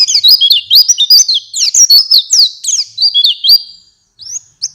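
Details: Training recording of white-eye song meant for night and morning: rapid high chattering twitter of quick up-and-down whistled slurs, running nearly four seconds before a short pause and two brief closing chirps.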